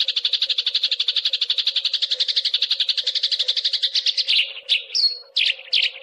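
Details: Fighting call of Eurasian tree sparrow used as a training master for contest birds: a sustained, fast buzzy chatter of rapid pulsed notes, ending in a few separate sharp chirps and a brief thin whistle.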